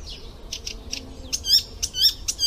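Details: Brief stretch of icterine warbler song used for tutoring, lively and varied: soft slurred notes, then several sharp high clicks and bright ringing whistled accents packed into a couple of seconds.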